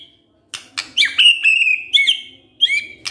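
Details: Lure song of a white-rumped shama, meant to provoke birds into full repertoire: a few sharp clicks, then bright whistled notes held and wavering, followed by short ringing phrases.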